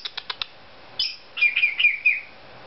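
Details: Indoor pet Cape Parrot making silly sounds: four quick ticking clicks, then a high squeak and a wavering whistled warble of rising and falling notes.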